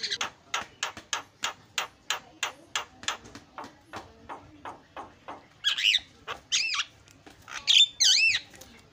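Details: Starling lure sound for provoking quiet birds: a long string of dry clicking pulses, about two per second and slowly fading, then several loud wavering whistles that swoop up and down.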